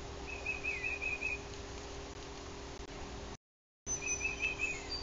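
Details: Male Yellow-shafted Northern Flicker visiting a bald eagle nest in Bluff City, Tennessee, one June morning: quick runs of about five short, high, sharp notes, two runs separated by a brief dropout, over steady low hum.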